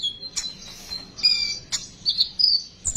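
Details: Sunbird song used as a lure: a few high, thin whistled notes and short chirps, some held briefly and slightly wavering, with a soft thump near the end.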